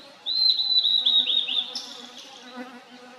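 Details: Wild blue-and-white flycatcher singing in a valley: one loud, clear whistled phrase of quick, slightly dipping notes held near one pitch, ending in a brief buzzy flourish, over a low steady hum.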